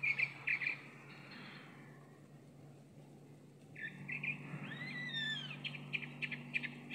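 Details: A chalk-browed mockingbird, apparently an old bird, sings varied phrases: short repeated chirps, a pause, then bright slurred whistles and rapid notes, over a low steady hum.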